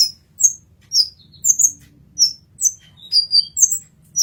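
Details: Olive-backed sunbird in a 'masteran' recording, giving high, thin, slightly downslurred chirps at an irregular pace of about two per second, with a brief rapid run of notes near the end.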